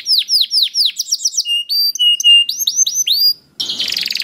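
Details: Canary 'gacor' song used as a lure for other canaries. Downward-sweeping whistles, then clear flat tones with quick chirps, a brief silence, and a closing buzzy trill.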